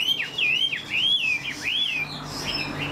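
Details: ['Chinese Hwamei kept in a cage, fanned tail and new plumage, singing with tail flicks; clear rolling whistled loops repeated about twice a second, then softer higher notes, with faint music behind.']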